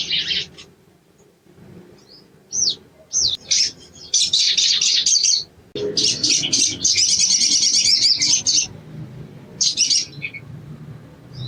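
A sogon gives loud bursts of high, rattling chirps in uneven phrases with short pauses, some longer trilled runs, over faint low background noise.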